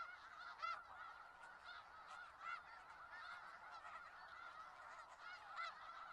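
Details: Snow geese in a large flock in Skagit Valley, a dense continuous chorus of nasal honking calls overlapping, with individual sharper honks standing out every second or so.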